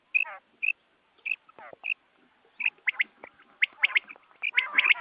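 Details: Morning quail sounds used in hunting: soft isolated whistled notes at first, then faster, louder chirping clusters building toward the end.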